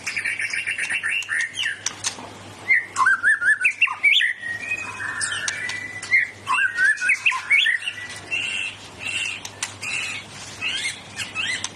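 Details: White-rumped shama, a kept songbird in Indonesia, delivering a powerful, rich song of fast whistles, chattering trills and abrupt squawky notes in rapid bursts, steady low electrical hum in the background.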